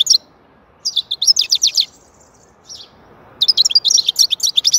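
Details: European goldfinch song: quick bursts of high, tinkling twitters and buzzy trills separated by short pauses, ending in a dense run of chattering notes; no other clear sounds.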